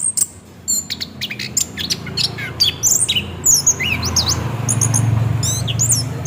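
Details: Orange-headed thrush song played as a lure to make the bird sing, rolling style: rapid high whistled notes and sharp downslurred phrases in quick varied bursts, over a steady low rumbling background hum.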